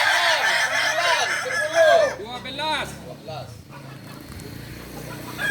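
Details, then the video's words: Crowing Kokok Balenggek roosters at a practice gathering in Ampang Kualo, Kota Solok. Strings of arching syllables come in tiers and fade into a softer background of distant crows and low hum. "latberan ayam kukuak balenggek"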